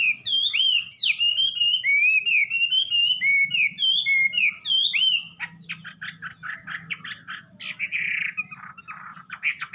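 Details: Melodious Wambi song opening with a string of rippling, wavering whistles, then a fast stuttering series of short buzzy notes.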